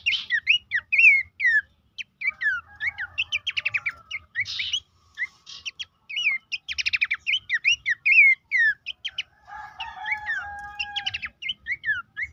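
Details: Horsfield's babbler song used as a training recording to stir caged birds into singing: quick bursts of sharp chirps, downslurred whistles and short rattling trills in varied phrases with brief pauses, plus faint low hum.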